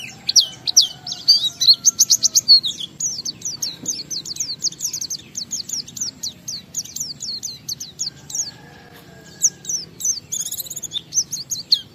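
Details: Oriental white-eye ngalas song used as a lure for other white-eyes: a long sustained chatter of very high, rapid, down-slurred chirps, roughly two or three a second, pausing briefly before resuming.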